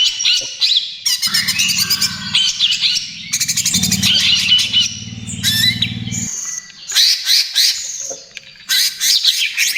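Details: Greater green leafbird (cucak ijo trotol) pouring out lure and therapy song: dense chattering trills and whistled slurs over a steady low droning hum that stops partway, then clipped bursts of notes.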